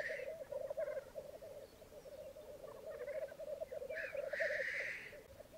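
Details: Black grouse at a May 2022 morning lek on a bog in Mykland, Norway, twelve males and two females: rapid, pulsing, dove-like bubbling carries through, with short faint hisses and one long, loud hissing sneeze near the end.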